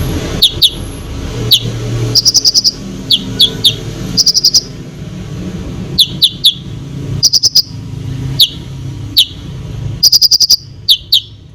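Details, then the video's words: Konin in energetic song intended to agitate other birds, giving high sharp chirps and short clicking rattles at irregular intervals over a steady background rumble and hiss. "KONIN GACOR FULL ISIAN BOCOR BUAT BURUNG LAIN CEPAT EMOSI"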